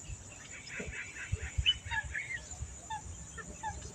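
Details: Baya weavers at their hanging nests chatter in quick, high, sparrow-like chirps, several birds overlapping, over a low rumble of wind and handling noise.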